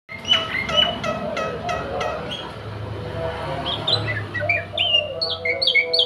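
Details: Caged Javan white starling singing freely right after bathing: a run of short, sharp whistled notes at a high pitch, then varied slurred whistles and chirps, over a steady low mechanical hum.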